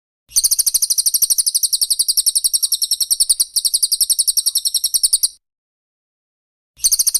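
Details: Cililin and Pelatuk Bawang birdsong on a training recording for songbirds: very high, rapid repeated notes, about three to four a second, in long bursts with a short silent break.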